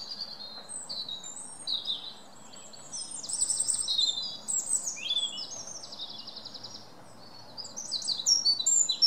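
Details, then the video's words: A wren singing: high, rapid, rattling trills and sharp twittering phrases in bursts, pausing briefly and starting again, over a soft outdoor background hiss. "Wren singing"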